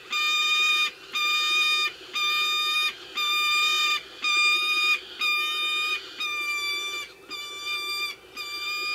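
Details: Peregrine falcons at an eyrie in the Ox Mountains, Co. Sligo, Ireland, in late evening on 25 May 2016 while feeding three-week-old chicks: harsh, nasal, drawn-out wails just under a second long, repeated about once a second, steady in pitch.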